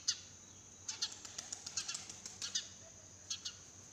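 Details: Sparrow chirping early in the morning in a garden, with crows, pigeons and other birds around: short, sharp, high chirps in loose clusters, roughly a dozen over four seconds, against a quiet background.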